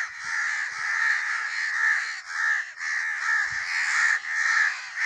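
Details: Harsh, hoarse caws from a crow, delivered almost without pause so that the calls run together in a rough, wavering stream with a slight rise and fall in loudness.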